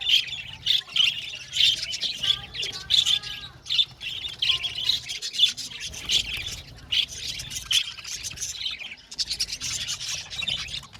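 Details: Budgerigars in an aviary colony chirping: dense overlapping squawky chirps and rapid chatter, many birds calling at once in a steady busy stream with brief quieter gaps.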